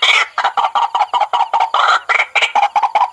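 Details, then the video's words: White-breasted waterhen lure call, played to call in waterhens day or night: rapid harsh, raspy croaking notes in quick succession, several per second, loud and continuous. "SUARA PIKAT RUAK RUAK PALING AMPUH"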